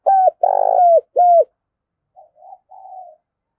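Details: Spotted dove used as a decoy, calling eagerly with gù coos and gáy gọi song. Three strong hooted notes, the middle one drawn out and vibrating, are followed by three softer, lower coos trailing off.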